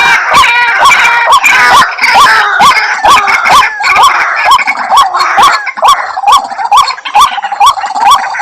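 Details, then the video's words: White-breasted waterhen lure calls used to attract the bird: loud, rising upslurred notes repeated about twice a second, overlapping into a dense chorus with sharp clicking pulses throughout. "Suara Pikat Ruak Ruak , pemanggil ruak ruak"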